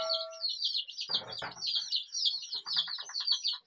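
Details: Colorful desi chicks, described as rainbow chicks of a local chicken breed, peeping together in a continuous high, thin chorus of rapid chirps, with a steady tone at the start and brief scuffling bursts midway.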